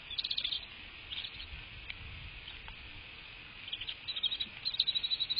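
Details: American bald eagle at its nest, filmed by a live nest cam on 22 March 2024 at 07:53 in the morning. A rapid series of high, thin chirps opens the recording, and more chirps return at the end. Soft low rumble runs throughout.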